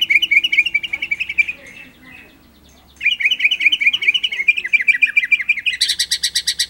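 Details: White-rumped shama (murai batu) singing actively in a complete 'ngerol nembak' song set: rapid warbled trills, a pause of about a second and a half, then more warbling and a fast pulsed series at the end.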